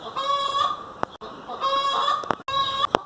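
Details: Domestic hen calling: three drawn-out, nasal, harmonic calls in close succession, with sharp knocking clicks between them.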